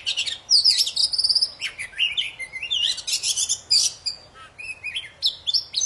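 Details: Poci bird in very vocal, lively song, used to coax silent birds into singing again: quick high whistled notes, thin trills and sweeping slurs in close bursts with brief pauses.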